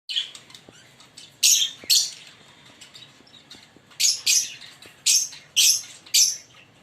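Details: Green Fischer's lovebird pair chirping and singing: sharp, harsh high chirps in short bursts, some doubled, about seven across the stretch with quiet gaps between.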